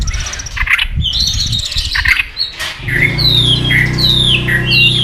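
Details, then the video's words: White-rumped shama singing fast while flicking its tail, stimulated to sing competitively; sharp, varied whistled notes and slurred phrases over a steady low hum that starts halfway through. "kích chòe lửa hót đấu ức chế"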